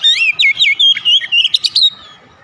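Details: Oriental magpie-robin singing in the morning, a continuous string of rich, looping whistles and quick, sharp notes lasting almost two seconds before the song fades.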